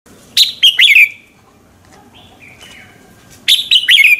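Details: Red-whiskered bulbul singing in the morning, used as a lure to stir other birds to sing: two bursts of loud, sharp, slurred whistled notes, each phrase of three or four quick descending notes, separated by a quieter pause with soft faint notes.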